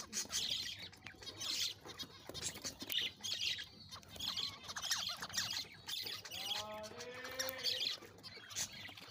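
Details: Courting breeder zebra finches, six pairs with black and fawn colour forms, recorded December 4, 2022; crowded chattering of many birds, sharp high chirps and squawky notes, then a run of nasal, stacked toy-trumpet beeps near the end.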